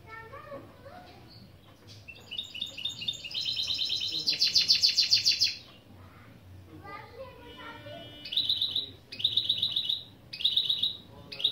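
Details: Goldfinch × canary mule singing opening phrases of a song lesson: scattered high chirps, then a long rapid buzzy trill near the top of its range, followed by three short repeated trilled bursts after a quiet gap.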